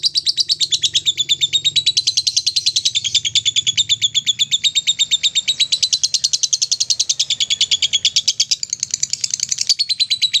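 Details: Lovebird in ngekek style, the long rattling song played to stimulate lovebirds; dense, fast, high-pitched chatter runs without pause for about ten seconds, with a faint low hum beneath.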